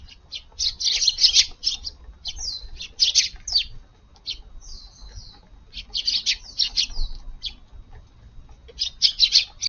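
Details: Eurasian tree sparrows gather in a garden for breakfast on a July 16 morning after early rain. Lively bursts of chirping overlap, with a few thinner descending notes between the busier groups.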